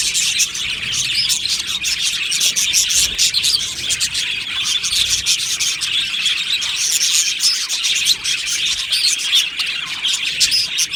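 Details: Colony of budgerigars singing and chirping in an aviary, a steady, crowded chatter of rapid high tweets and chirrups with no quiet gaps.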